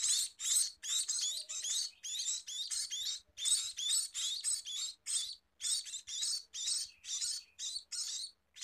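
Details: Steady sequence of harsh, high-pitched buzzy bursts from a scaly-breasted munia, short syllables packed closely and repeated roughly twice a second for several seconds, with faint low thumps beneath.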